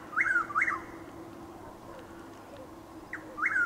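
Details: Chuck-will's-widow calling at about 6:20 am on 12 April 2023 in Lake Placid, Florida, in drizzle under overcast skies: a soft short note then two clear whistled phrases, swooping down then up, the phrase starting again near the end.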